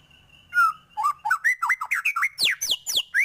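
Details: White-rumped shama, a lively singing bird described as full of fill phrases: a long low whistle, then a quick series of short rising and falling whistled notes climbing in pitch, ending in steep downward sweeps.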